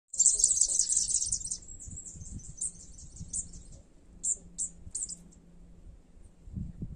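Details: Blue wren singing a warning: a loud high trilled reel of rapid notes for about a second and a half, then scattered short high chips and bursts, with low rumbling background noise.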